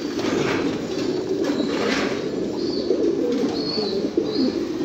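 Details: Fancy pigeons cooing in a low rolling chorus, with soft flapping and a few short high whistles near the end.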